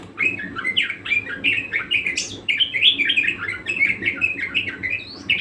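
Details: Budgerigar (parakeet) in full, persistent song: a dense, continuous stream of scratchy chirps, squeaks and twittering notes over a steady low hum.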